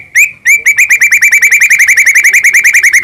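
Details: White-rumped shama in the morning, recorded as a lure to make a pet bird sing: two opening upslurred notes, then a rapid, even train of bright chips, roughly seven each second.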